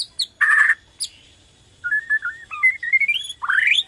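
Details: Borneo white-rumped shama singing to stir other shamas into song: a harsh buzzy burst after thin high notes, a pause, then a string of whistled notes climbing steadily higher into a rising sweep.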